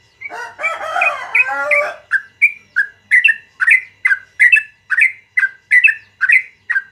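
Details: Yellow-vented bulbul, morning, long rapid song: opens with a harsh, buzzy chattering burst of mixed notes, then settles into evenly spaced bright whistled doublets, about two per second.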